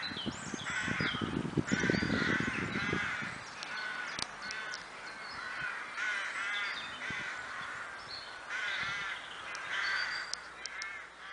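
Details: Several crows cawing in the Kloosterbos woodland near Vaals: rough, rapidly repeated caws in overlapping bursts, a low rumbling noise early on, and faint high chirps of other birds throughout.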